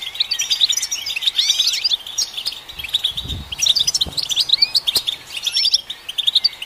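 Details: European goldfinch singing to stimulate goldfinches, opening with looping slurred whistles, then a lively run of twittering chirps and jingling trills, with a soft low rumble midway.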